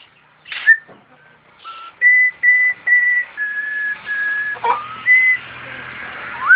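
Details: Caged starling performing, imitating an ambulance siren: a run of pure whistled notes, level and steady, some rising and falling like a siren, with short sharp chips between and a final upslurred whistle.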